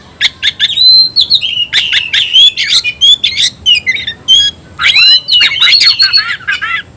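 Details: Oriental magpie-robin kept in a cage, 'tayoraky' variant, singing loud, dense phrases of bright whistled notes mixed with rasping and chattering elements, barely pausing throughout.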